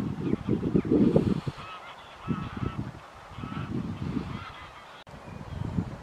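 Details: Tundra bean goose at Wimpole Hall, Cambridgeshire, 17 December 2020, giving a few low, reedy honks over a steady rumble of wind or handling noise.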